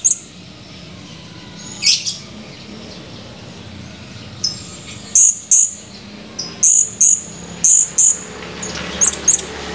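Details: Lively male blue-crowned hanging parrot, recorded 17 July 2020: scattered thin high chirps at first, then a dense string of roughly a dozen sharp, shrill chirps, often in pairs, over soft hiss.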